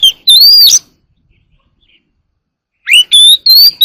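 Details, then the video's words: Wild Oriental magpie-robin singing early in the morning: two bursts of loud, clear whistled notes, rising and falling slides mixed with sharp chips, separated by a two-second pause. "kacer alam | warbler sings early in the morning || Chòe than hót đấu chim rừng quá sung"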